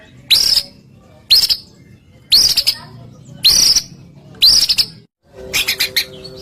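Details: White-rumped shama sound meant to prompt other shamas to sing; five sharp rising whistled notes about one a second, each with a harsh buzzy edge, then a brief chatter.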